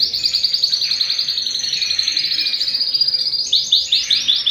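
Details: Canary singing at home: a dense, fast stream of high rolling trills and chattering notes, with a brighter, rapidly pulsed trill bursting in near the end.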